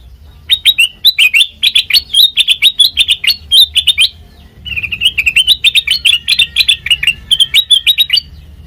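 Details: Very melodious sooty-headed bulbul song, used as a training lure for other birds: two long runs of lively chirped notes mixed with sharp clicks, split by a brief pause midway.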